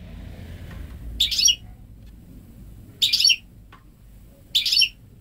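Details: Ten-month-old goldfinch × canary hybrid, hatched May 2013 and home-bred, never exposed to a male canary, singing purely goldfinch-style phrases: three short, bright, twittering bursts about every one and a half seconds over a low background hum.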